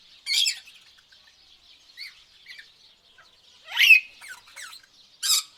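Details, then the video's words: Mixed tropical birds: harsh raspy squawks open and close the passage, a loud descending screech near the middle with quick chattering notes after it, and softer chirps over a faint steady high buzz. "tropical bird sounds"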